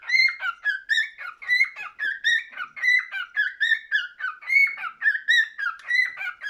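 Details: Indoor cockatiel warbling a long series of whistled notes that climb and slide down, chirpy and tuneful, phrases following each other with short gaps about every 1.4 seconds, with no background noise.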